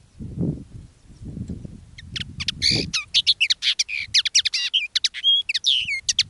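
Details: Common linnet decoy bird singing live in its own style; after low thumping noises, a quick, varied twitter of clipped chirps, short trills and a few nasal whistles runs for about four seconds.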